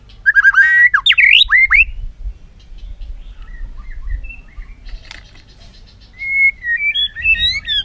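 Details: Voice-training song of a white-rumped shama: an opening burst of loud, looping whistled phrases, a quiet stretch of soft scattered notes, then a fresh run of rising and falling whistles.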